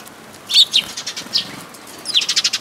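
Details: Sparrow at a Tenmangu shrine, 14 May 2022: a sharp high chirp, a few scattered tweets, then a quick run of six or seven bright chirps near the end, with faint fluttering between calls.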